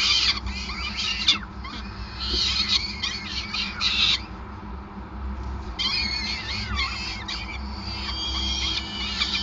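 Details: Peregrine falcon at its nest in Groningen during feeding, 5 May 2020: bursts of harsh high screeching, a short lull near the middle, then the wailing resumes, with steady low hum throughout.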